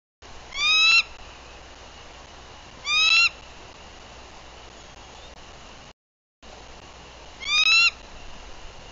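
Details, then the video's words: Three sharp, high chittering bursts about three seconds apart from a wild female bald eagle alert and on guard after arriving at her Tennessee nest, 14 April 2023, recorded by a livecam with steady background hiss. "Frances Arrives with Lengthy Alert Vocals"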